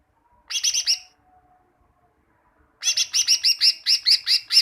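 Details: Tutor recording of greater green leafbird song for caged birds: short bursts of fast, bright, rhythmic chattering notes, the second burst longer with about ten repeated notes.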